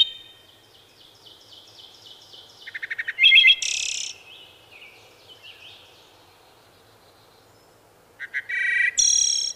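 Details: Wood thrush song over a faint background hiss: soft high notes, then staccato low pulses breaking into a loud fluty burst and trill, with a second loud phrase near the end.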